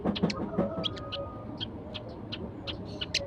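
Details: Only a few sparrows came to feed at sunrise. Their quick, clipped chirps come in an uneven series, some doubled, over low background hum, with a thin faint tone early on.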